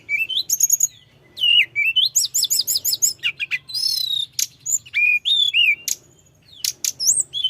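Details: Mountain flowerpecker in continuous rolling song that provokes rivals, mixing sharp rising whistles, rapid doubled chips and short sweeping notes packed closely together, with a faint low electrical hum beneath.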